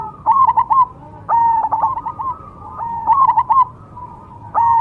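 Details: Perkutut cemani zebra dove repeats a short staccato cooing phrase four times, roughly every one and a quarter seconds. Each phrase has a loud first note followed by quick clipped notes.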